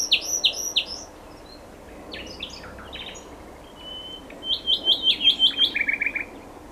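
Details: Common nightingale song: sharp repeated notes, scattered chirps, a pause, then a fast pulsing trill of repeated high notes.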